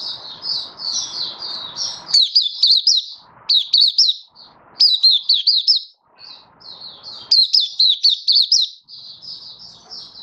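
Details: Malaysian white-eye, a hobby bird in Singapore, singing happily on a warm, sunny, stable 20 March 2023: repeated bursts of fast high piercing chirps and thin continuous warbling, over intermittent low background noise.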